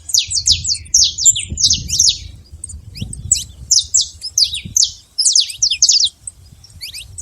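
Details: Saffron finch singing freely outdoors: clustered high twittering chips, rushed groups then brief gaps, over a light low-frequency background murmur.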